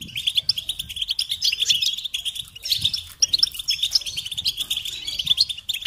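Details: European goldfinch song, from a tape meant to teach chicks and stimulate songbirds: a continuous rapid twittering of bright, tinkling notes, with short trills and liquid chirps tumbling together without pause.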